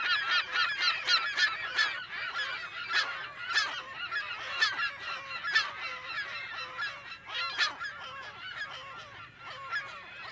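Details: A colony of California gulls gives a dense, overlapping chorus of harsh, nasal, honking calls, many birds calling at once almost without pause; recording date unknown.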